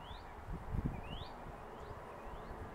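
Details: Four upslurred whistles, each rising quickly and spaced about half a second apart, from a northern mockingbird at its nest site in southwest Virginia on 7 March 2021; low rumbling thuds sound underneath.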